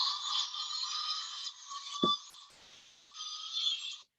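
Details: A young, begging Barred Owl gives two long, hoarse, hissing screeches, the first about a second and a half and the second shorter, rising at the end like a question. A brief knock falls between them.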